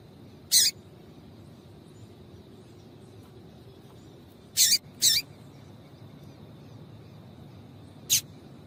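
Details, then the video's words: Female double-collared seedeater giving calls to excite a male: four isolated, very short, sharp high notes. Two come close together, and long silent gaps separate the others against a faint steady hiss. "Piado de Fêmea de Coleiro para Esquentar Coleiro"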